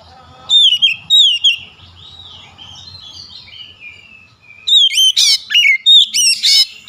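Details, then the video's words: Oriental magpie-robin singing as a lure to trigger a rival: loud downslurred whistles open, give way to quieter rambling warbles, then return as a rapid series of emphatic whistled notes with harsh, buzzy bursts. "PANCINGAN KACER LAWAN LANGSUNG BUKA SUARA GACOR"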